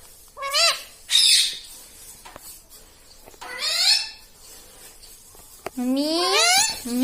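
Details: Pet ringneck parrot speaking indoors, producing a few high, harmonic word-like phrases with pauses between, ending in a longer drawn-out, wavering utterance.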